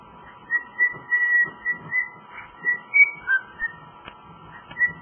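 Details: Caged pet cockatiel performing its version of Jingle Bells, a string of short pure whistles at a steady tune-like pace, one note climbing higher and another dipping, with a low constant hum and light rustling behind.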